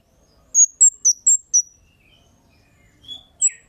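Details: Kemade bird 'cit' lure call: five quick, piercing high chirps in a tight row, followed by quiet, then a single lower whistled note and one final high chirp.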